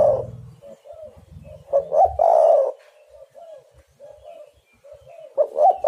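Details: Spotted dove cooing to lure other doves into a trap: a low hum at first, soft steady coos, then a stuttered build-up into a loud husky coo, more quiet cooing, and another rising phrase at the end.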